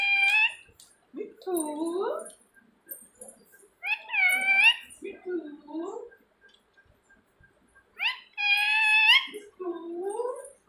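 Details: Indoor pet parrot imitating human speech and calling for its owner: several loud, strained, speech-like phrases with rising and falling tones, each followed by lower, wavering syllables, spaced a few seconds apart.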